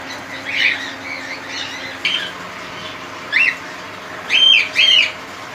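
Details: Cockatiels kept in a colony give loud, arched, harsh screeching calls, a softer call near the start, then three strong calls bunched in the second half over steady background hum.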